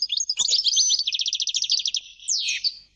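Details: Goldfinch song as one continuous stream of fast, liquid twitters and buzzy trilled notes, ending in a harsher descending slur; high-pitched and bright, with no other sounds present.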